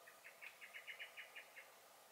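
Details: Garden blackbird on 23 May 2021 giving one alarm series: about ten sharp chink notes delivered rapidly, loudest in the middle of the burst.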